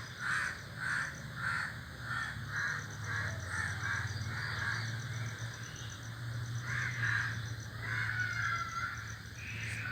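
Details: A flock of crows perched in a tree calls with rapid, repeated harsh caws, roughly twice a second, then quieter, then another burst of caws. A constant low droning hum continues throughout.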